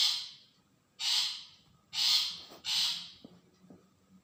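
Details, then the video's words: Long-tailed shrike calling as a lure to draw other shrikes into answering: four coarse, scratchy bursts spaced irregularly, the last two close together, then fading into quiet clicks and low background noise. "pentet suara cendet bahan pancingan cendet dijamin nyaut"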